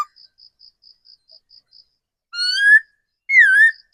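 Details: Wild-caught laughingthrush used as a decoy: after a run of soft, evenly spaced high ticks, it gives two clear whistles, the first rising, the second dipping and wavering.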